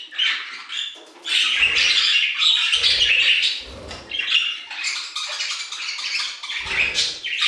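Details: Several budgerigars singing together in an aviary, a dense chattering warble of squawks and chirps concentrated in the upper range, in bursts with brief pauses, some soft low thumps beneath.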